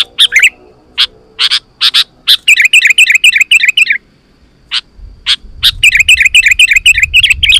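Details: Sooty-headed bulbul singing energetically, a sound used to lure wild bulbuls and provoke them into replying: several loud separate chirps, then rapid, bubbly chattering runs of high notes, with a faint low rumble in the second half.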